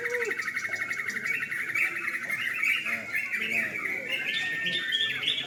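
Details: Caged sooty-headed bulbuls competing in a singing contest after dark, many birds at once: a busy wall of quick chirps and warbled notes, with a few clearer whistled phrases breaking through, and faint background chatter.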